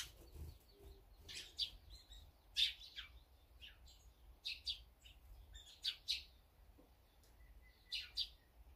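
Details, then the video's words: Assorted small birds, such as sparrows, great tits, azure-winged magpies and brown-eared bulbuls, feeding together; irregular sharp high tweets in loose clusters with quiet gaps, over faint background rumble. "새소리 힐링방송"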